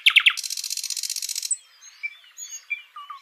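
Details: Live singing nightingale: three quick, loud clicked notes lead into a dense rattling trill, then a pause and scattered soft, pure whistles that slide and dip.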